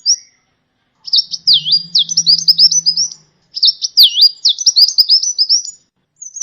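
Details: Kolibri ninja song used as a tutor recording for training cage birds, with rapid high chirps and sweeping notes in two bursts of about two seconds separated by short pauses, and a faint low hum in the first burst.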